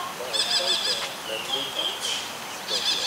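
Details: A juvenile Buffy fish owl practising hunting gives quick, hoarse, buzzy calls at the start and end, with sharp chirps and a thin steady whistle-like background tone between.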